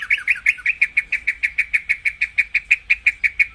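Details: White-rumped shama singing, a recording used to rouse kept birds into peak condition: a fast, steady series of bright, clipped notes repeated about three times per second, with no other sounds.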